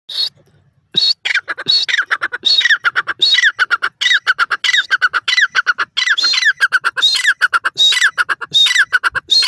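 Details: Francolin (junglee teetar) calling in forest: loud harsh, squawking notes in rapid rhythmic bursts, repeated over and over with short gaps, after a brief quiet opening.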